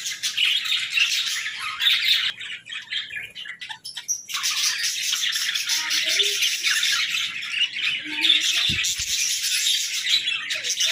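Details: Several budgerigars in an aviary chatter energetically. High, rasping warbles and chirps run almost nonstop, with a short lull before the flock resumes at full volume. A single low knock is heard late on.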